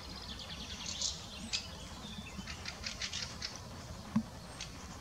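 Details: A perched Spotted Flycatcher in the Munich Botanical Garden gives thin, high, scratchy ticks and short squeaks, scattered irregularly about every half second, over a faint low rumble.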